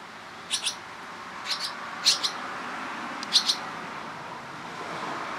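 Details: Barn swallow nestlings fed by busy parents, Toronto, Ontario, Canada, July: a few paired high chirps spaced about a second apart over a soft steady background hum.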